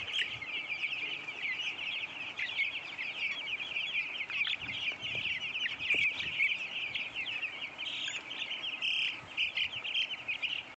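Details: Crowded broiler chickens in a farm hatchery keep up a steady, high-pitched chirping chorus, with many voices peeping together and some sharper single calls rising above the mass throughout.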